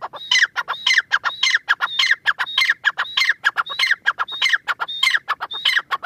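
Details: Iranian teetar (francolin) pair giving loud rasping calls, a thin whistled note sliding down into chattering harsh bursts, phrases repeated roughly twice per second without pause.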